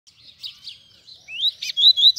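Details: Double-collared seedeater, known locally as coleiro, singing a short warbled phrase of high twittering notes that turn into clear rising whistled slurs, growing louder toward the end, in a quiet setting.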